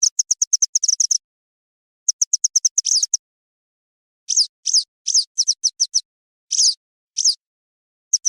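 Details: Calls of the Western yellow wagtail, said to be the best sound for hunting it. Two rattling runs of fast, evenly spaced high chips give way to single slurred, falling 'tsweep' notes spaced roughly half a second apart.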